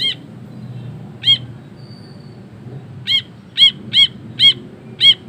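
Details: Ashy bulbul (brinji kelabu) singing actively in long ngekek chatter, recorded as a master for training songbirds: short harsh nasal notes, single and in pairs, spaced irregularly about every half to one second over a faint low hum.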